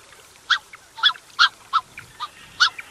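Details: Pair of Black-necked swans with cygnets at close range giving clipped, slightly hoarse honks, about two a second, some louder and some softer, over a quiet background.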